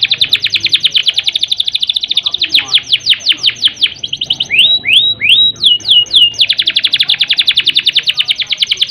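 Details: Singing canary used as a lure to stimulate canaries lacking breeding urge: fast trilled rolls of high notes, shifting into slower sweeping downslurs and rising whistles, then back to a rapid roll.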